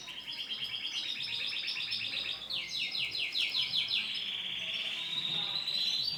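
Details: A male Starblue canary delivers fast rolling trills of rapidly repeated notes, switching to a higher, faster roll after about two and a half seconds, then a sustained rattling trill that gradually rises toward the end.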